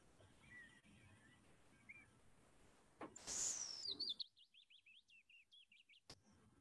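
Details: Willow warbler in the forest giving its trilling song, a falling cascade of soft whistled notes lasting about two seconds, preceded by a burst of noise and faint bird calls.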